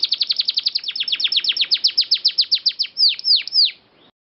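A canary sings a fast trill of bright downslurred notes, then slows into a few longer sweeping whistles.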